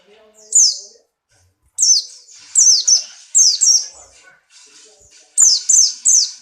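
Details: Pleci Buxtoni white-eye, strongly in breeding condition and jumping lively; shrill downslurred whistles delivered in rapid runs of two to four notes, separated by short pauses, with faint low rustling in the background.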